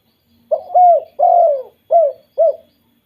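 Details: Spotted dove calling 'kuk 2', used to get other doves calling: a run of four or five soft, resonant coos, the second longest and falling, the last ones short and evenly spaced, clean background.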